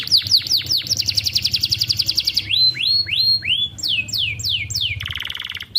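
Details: Young domestic canary singing, recorded as a tutor song meant to get silent canaries singing: fast rolling trills and down-slurred notes, then slow swooping rising notes and a buzzy high tour, over a low steady hum.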